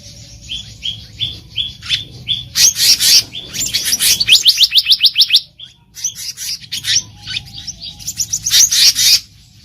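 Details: A black-naped monarch calls in the wild: steady high piping notes at first, breaking into loud harsh bursts and fast chattering runs of bright repeated notes, with brief gaps between phrases.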